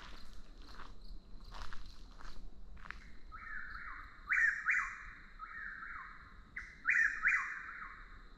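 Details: After about three seconds of near quiet with a steady high drone, a Chuck-will's-widow begins calling: loud whistled phrases with sharp rising notes, repeated back to back.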